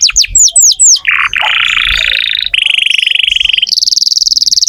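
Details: Canary singing to urge young or silent canaries into song. A few quick falling whistles give way to a long buzzy tour, a steady sustained note, and finally a high rapid trill.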